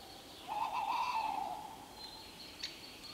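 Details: Tawny owl uttering a single long, tremulous wavering hoot lasting about a second, followed by quiet with a faint high tone and a brief click.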